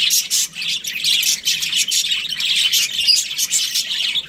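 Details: Australian budgerigar breeding pair in continuous dense warbling chatter, buzzy chirps running together without pause, with a faint low hum beneath.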